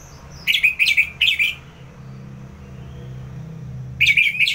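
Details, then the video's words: Orange-headed thrush from Singaraja, North Bali, Indonesia, singing in the ngeplong style as a tutor and trigger recording for contest birds: a quick run of four buzzy, rich phrases near the start, a pause, then another burst. Low hum underneath. "ANIS MERAH Ngeplong"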